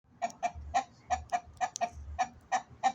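A chicken gives about ten short, clipped clucks in three seconds, uneven in pace, over a faint low rumble.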